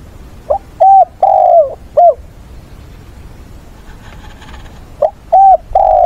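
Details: Decoy spotted dove used to lure wild doves, giving its mate-calling, fighting coo: two sets of three loud, mellow, hollow coos with the middle note drawn out, separated by a short quiet pause with faint background noise.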